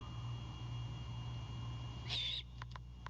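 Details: Great Horned Owl owlet at a nest cam in Savannah, Georgia, at night on 26 March 2022, defending a bird its father just brought; one short harsh hissing screech, then a few faint clicks over a steady low electrical hum.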